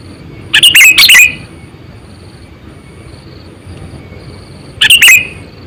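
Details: Decoy sooty-headed bulbul, about eight to nine years old, used for bird luring, delivering a rapid cluster of several bright chirps, then a shorter burst a few seconds later.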